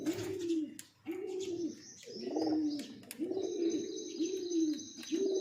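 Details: Breeding pair of pigeons cooing: low, soft rolling coos, each about a second long, repeated in a loose series, with faint thin chirps and rustling in the background.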